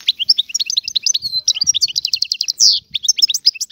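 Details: Free Algerian goldfinch twittering briskly: a run of bright chirps, a drawn-out whistled note, rattled series of clipped notes and a buzzy nasal burst, then more quick chatter; soft low thuds in the background.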